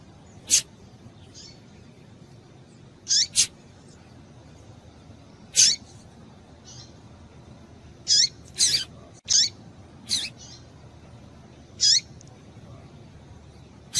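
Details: A female Double-collared Seedeater gives sharp, high chirps, single or in quick pairs, at irregular intervals of a second or more over a faint steady hiss, calls meant to stimulate males to sing.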